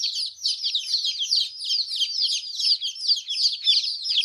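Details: Chorus of baby chicks: continuous shrill peeps tumbling over one another, high-pitched and busy throughout, several young birds calling together.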